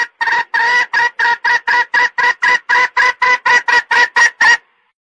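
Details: Red junglefowl lure sound for catching male birds: a brisk sequence of about fifteen loud, nasal clucks with strong overtones, around four per second, ending abruptly.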